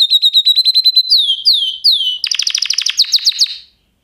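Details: Singing canary: a fast, level trill, then three clear down-slurred whistles, followed by a dense, rapid chattering trill that fades out.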